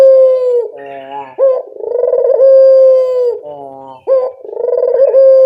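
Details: Local Barbary dove lure call, said to make birds answer readily: low, repeated phrases with a quick rising note, a rolling purr and a long steady hoot, linked by softer muttering coos.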